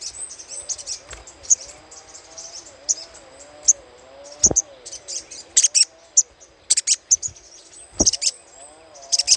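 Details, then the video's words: Little spiderhunter chattering for luring: repeated high, sharp chip notes in quick clusters throughout, with faint background hum and occasional low thuds. "PANCINGAN SUARA CRECETAN SOGOK ONTONG"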